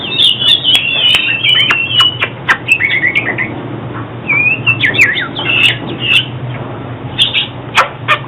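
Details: Oriental magpie-robin song for trapping and song training: loud high whistled warbles at the start, then twisting slurred notes and short phrases, interspersed with crisp clicks.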